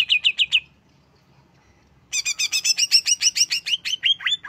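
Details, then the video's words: Greater green leafbird, a short burst of three loud whistled notes, a pause of about a second and a half, then a long dense run of sharp, chattering double notes sliding into downward-swooping whistles. "Relaksasi pembangkit emosi cucak hijau"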